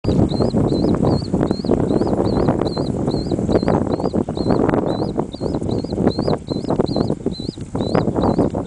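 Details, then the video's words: Swallow-tailed kite at Box R Wildlife Management Area, Florida, giving a steady series of thin, high whistled notes, about two a second, over heavy rumbling and clattering background noise. "Swallow Tailed Kite"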